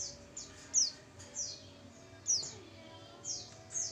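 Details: Female oriental white-eye lure call: thin, very high downslurred chirps in irregular bursts, several per second at times, over a low steady background hum.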